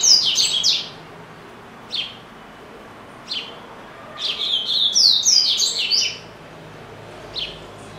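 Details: Caged double-collared seedeater belonging to the owner's father, giving a quick high warble, single chips every second or so, then a dense two-second run of slurred twittering notes.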